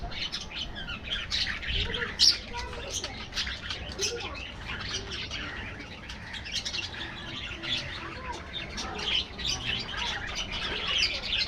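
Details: Budgerigar colony in an aviary: a steady wash of high chirps and warbled notes, with one sharp louder squawk after two seconds.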